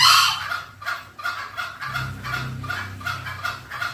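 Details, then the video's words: Green junglefowl lure call, used to draw wild green junglefowl in: a loud opening burst, then short harsh calls with a steady ringing tone, repeated roughly every half second. Low background hum throughout. "SUARA PIKAT MASTERAN AYAM HUTAN HIJAU"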